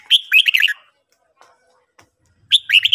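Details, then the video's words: Red-whiskered bulbul singing in the morning: two bright, warbled phrases of quick rising and falling whistled notes, the first near the start and the second near the end, with a quiet gap between them. "luyện chào mào hót buổi sáng"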